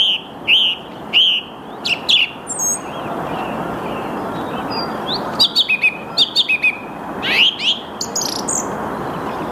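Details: A song thrush sings in the early morning (08:10, 8 March 2022) in the Ruhr floodplain at Mülheim an der Ruhr: loud, clear, varied phrases, each motif repeated in quick bursts, over a steady rushing hiss.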